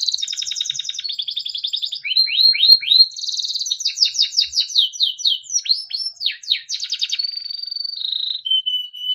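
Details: Timbrado canary singing melodic training song phrases: rolling trills, rising upslurred whistles, rapid downslurred notes repeated several times a second, ending in steady whistled tones that step lower.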